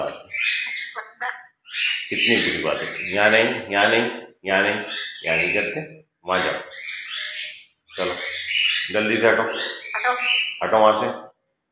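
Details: Two household grey parrots, noisy at play in the morning, producing rapid speech-like phrases and loud squawks in bursts separated by short silences; many words understandable.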